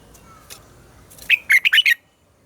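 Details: Red-whiskered bulbul double-note morning song used for training caged birds. One bright, rapid, bubbling phrase of about five notes with a slurred first note follows a low, quiet lead-in.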